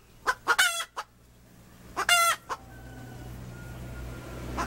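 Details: Hen calling with a quick run of short clucks leading into a harsh squawk, a second squawk two seconds later, then a thin steady tone and rising background noise.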